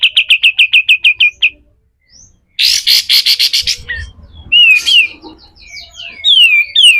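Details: Kapas tembak or pied triller with rough besetan kasar song, recorded as a master for other birds: about ten fast notes, a pause, a harsh buzzy rasping burst, then slurred rising-and-falling whistles.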